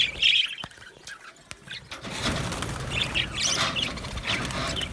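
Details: Aviary budgerigars chirping happily; a short chirp opens amid soft wing flutters, then a broader chorus of high chatter and squawky notes builds from the second second onward.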